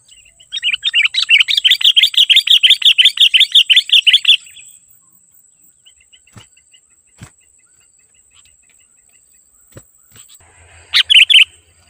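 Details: Energetic Sooty-headed bulbul song, played to lure wild bulbuls: a rapid, even chatter of sharp chirped notes lasting about three seconds, then near silence with faint clicks, and one final short bright burst.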